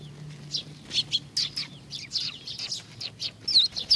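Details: Sparrows arriving for food at Tenmangu, Nakanoshima, 21 June 2020, calling with quick downward-sweeping chirps about two per second, alongside a low steady hum.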